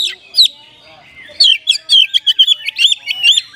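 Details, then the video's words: Caged Oriental magpie-robin in vigorous song used as a lure to make idle birds sing: two sharp opening notes, then a quick, chattering sequence of clear whistles and chirps. "TOP KACER GACOR isian mewah 🔴 pas untuk pancingan burung Kacer loyo malas ngoceh jadi tambah EMOSI!!"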